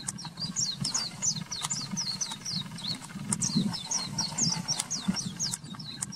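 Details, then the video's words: Oriental white-eye song used as a master recording for training cage birds: rapid series of high, thin downslurred chirps, several per second, over a steady low engine rumble. "Masteran Buat Pleci"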